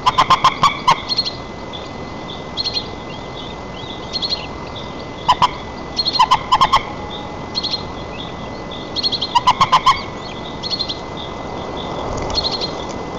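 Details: White-tailed eagle at its nest in Nizhnyaya Kama National Park, Tatarstan, on 4 May 2024, during feeding of the chick, caught by a nest camera: bursts of four or five loud, yelping, ringing notes, with faint high thin chirps between them.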